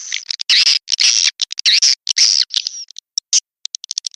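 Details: Swiftlet Sandro lure call for bird houses: loud buzzy chirps in short separated bursts, thinning to brief high ticks toward the end.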